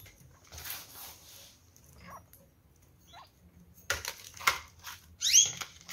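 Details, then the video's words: A female budgerigar, recently paired with a male she is acting aggressively toward for unknown reasons, gives harsh, scratchy squawks in a few short bursts, ending in quick rising chirps, with faint rustling between. "Cocorite | Femmina aggressiva"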